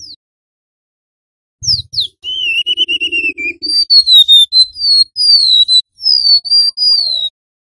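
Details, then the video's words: Wild male and female golden-bellied gerygone singing in the long fluting nyuling manner used to lure birds for trapping. Two quick downslurred notes lead into a wavering trilled whistle, then a run of sweet descending whistles. "Suara Asli Burung Remetuk Laut Gacor Nyuling"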